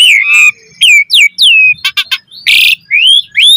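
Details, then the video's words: Asian pied starling singing a rich training song for other starlings, with loud slurred whistles sweeping downward, a few short clicking notes and a harsh buzzy burst, then rising whistles. "Jalak Suren Gacor Full Isian Cocok Buat Masteran Suara Burung Jalak Agar Gacor Full Isian Mewah"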